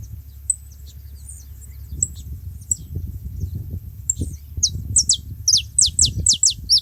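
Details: Several saffron finches together at a bait spot: faint high chips at first, then a quickening burst of loud, high downward-sweeping notes near the end, over low rumbling noise.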